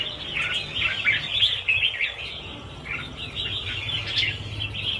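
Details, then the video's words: Mass release of around 1000 Red-whiskered Bulbuls: busy, uneven stream of high chirps and short trills from many birds, steady throughout. "Phóng sinh 1000 con chim chào mào - chào mào căng lửa"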